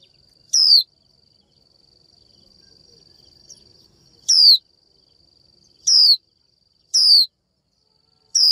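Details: Calling to a male to excite him into singing, a female Japanese white-eye gives five sharp, descending whistles; after one note comes a gap of over three seconds, then four more follow at roughly one-second intervals.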